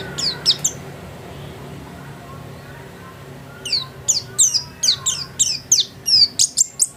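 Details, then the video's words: Home-kept white-eye: a few high chirps, a few seconds of near quiet, then a steady string of sharp, high, down-slurred notes about three per second. "Burung pleci gacor"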